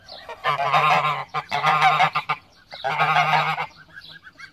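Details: Pomeranian geese, domestic greylag-derived breed, giving three extended bouts of loud, raspy, grating honks separated by brief pauses, with soft high peeping notes between bursts.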